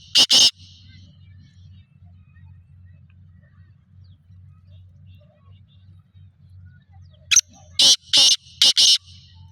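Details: Black francolin calling in Sindh, Pakistan: a harsh double note, a long quiet pause with a low background hum, then a rasping phrase of several loud, grating notes.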